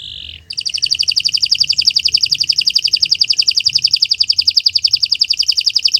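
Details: Canary song used as a training recording: a long, fast buzzing trill of rapid repeated notes, steady and loud from start to finish, after a brief opening tone.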